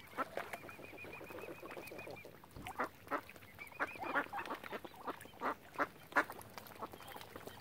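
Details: Ducks at Oxford Island on Lough Neagh, Ireland, call with rough, broken quacks spaced irregularly. Early on, a thin, high, arched note repeats rapidly in a series, and it returns briefly later.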